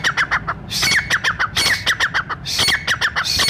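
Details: Brown francolin, locally brown teetar, giving a call meant to gather other francolins for hunters: fast runs of short downslurred squeaky notes, about four per half second, broken by harsher bursts.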